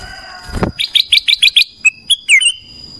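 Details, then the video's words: In the morning, a black-crested bulbul gives a run of five fast, bright chirps, then two short whistles and a warbled, slurred ending. A low thump comes before the song, and a steady high whine persists. "Suara kutilang emas pagi hari"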